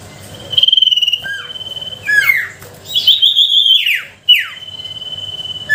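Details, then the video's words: Sooty-headed bulbul song played as a lure to stir lazy bulbuls to sing: sustained high whistles broken by steep falling slurs and a burst of fluttering notes, with pauses between phrases. "Suara pancingan sirtu pikat gacor dor,sangat ampuh untuk memancing sirtu malas bunyi."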